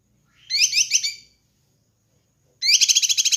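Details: Kinoi bird song from a master recording meant to train and lure birds: two bursts of dense, buzzy, stacked chattering notes, the second a rapid pulsed series of about ten beats, separated by silence.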